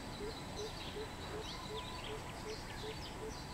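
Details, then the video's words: Low booming hoots of a greater coucal, 13 June 2020, nine evenly spaced notes about two to three per second, with busy high chirping birds above and a steady hiss behind. "Greater Coucal [អែអូត]"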